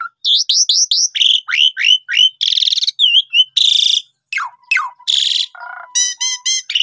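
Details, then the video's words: Asian pied starling song used as a lure to get birds singing: quick repeated upslurred whistles, harsh buzzy bursts, sharp downward sweeps and rattling notes in a rapid medley. "Pancingan Jalak Suren"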